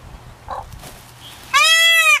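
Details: At the L.A. Arboretum in March 2019, during mating season, one of two peahens fighting over a peacock gives a loud, nasal, bleating honk, steady then dropping at the end, after faint soft sounds.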